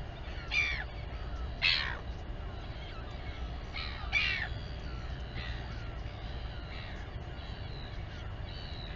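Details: Royal albatross mother feeding her chick at the breeding colony on Taiaroa Head near Dunedin, New Zealand; several hoarse, harsh croaking calls with bright upper tones, three louder bursts then fainter ones, over a steady low rumbling background.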